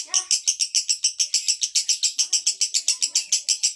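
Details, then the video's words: Male lovebird in konslet mode, rhythmic high buzzy chatter pulsing roughly four times per second, with soft lower chirps mixed in. "Love Bird jantan Konslet."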